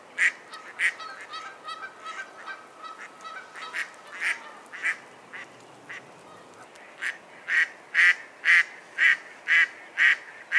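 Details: A Mallard gives harsh, nasal quacks about twice a second, growing louder and steadier toward the end, with softer duck chatter earlier on.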